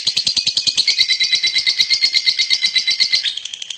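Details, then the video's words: Champion lovebird pouring out a fast, harsh chattering trill of high stuttered notes for about three seconds, then fading to softer ticks. "Lovebird Juara"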